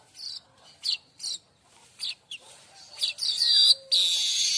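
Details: Singing streaked weaver offered as tutor song for other songbirds: scattered high chirps and squeaky notes building into a continuous sizzling, hissing buzz at the end.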